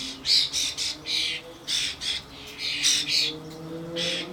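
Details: Adult common starlings with fledglings (Sturnus vulgaris) at a garden bird feeder with suet blocks, camcorder recording: rapid run of short rasping squawks, roughly eleven in four seconds, some overlapping, noisy and hoarse.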